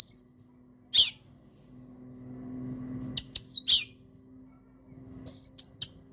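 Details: Kacer, the Oriental magpie-robin, in a prompting recording: brief sharp chips and short high upswept whistles in small clusters, over a faint steady low tone.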